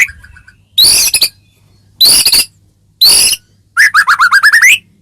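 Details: Training song of a white-rumped shama, meant to make other shamas respond: three harsh, dense chattering bursts about a second apart, followed by a quick rolling trill of rising whistled notes.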